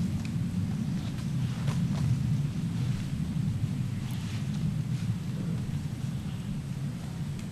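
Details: Steady low rumble of wind buffeting the microphone, with boat-like droning and no animal calls.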